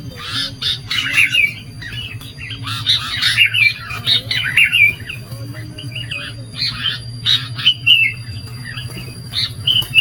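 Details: Sooty-headed bulbul calls used as a lure for trapping wild birds: busy bursts of chirping, bubbly notes and short whistled phrases, repeated throughout over a low steady hum.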